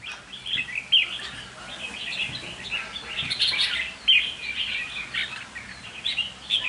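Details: Red-whiskered bulbul (chào mào): a loose series of bright, chattering warbled phrases with short whistled notes, uneven in spacing, over light background noise.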